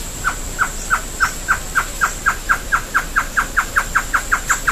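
A Great Antshrike sings a long series of short, hollow mid-pitched notes that gradually speed up.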